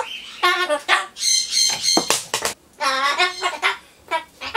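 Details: Captive Solomon Islands cockatoo in a home during the Tokyo 2020 Olympics, giving loud rasping, harmonic squawks and speech-like syllables in rapid runs, with one sharp downward note midway.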